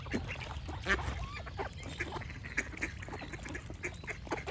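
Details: Duck quacks come as rough, nasal bursts, several overlapping in quick succession, with birds chirping alongside and a constant low background hum.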